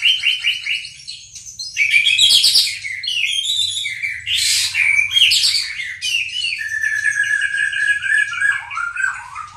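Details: Rich, varied song of a white-rumped shama arranging its phrases, with dense chattering bursts, buzzy high notes and sweeping whistles, ending in a long falling warbled phrase.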